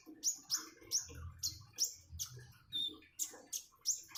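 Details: Common iora song over splashing water: sharp, high, whistled notes that drop quickly, repeated roughly every half second, with one thin, level note in between and soft gurgling water below.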